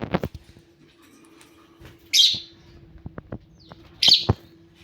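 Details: Parrot calling in the morning: two harsh, loud squawks about two seconds apart, with faint clicks and soft tapping between them.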